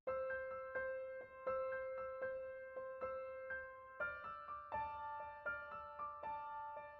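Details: Soft electric piano music plays steady repeated chords, with no animal sound heard.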